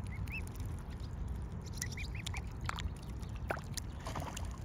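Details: Peeping mute swan cygnets: short, high, arched notes in a loose run of four or five, with a deep continuous rumble and occasional clicks underneath.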